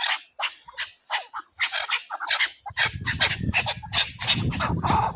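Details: Chukar partridge in a hunting context, harsh repeated chuk notes running in bursts, joined halfway through by a steady low rumbling noise beneath the calls.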